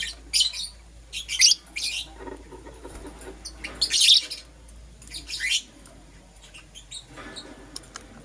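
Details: Morning chirping of pet lovebirds, green opaline and lutino: a few loud, harsh high chirps in short clusters with quieter gaps between.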